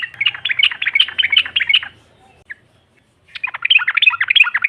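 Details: Female yellow-vented bulbul singing to provoke rivals: a busy, chattering run of quick notes for about two seconds, a pause, then another lively, jumbled burst.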